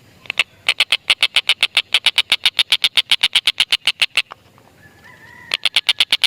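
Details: Stork-billed kingfisher calling to lure lovebirds: a long fast string of rasping 'kek' notes breaks off. In the gap a faint thin whistle rises, then the harsh rapid series starts again.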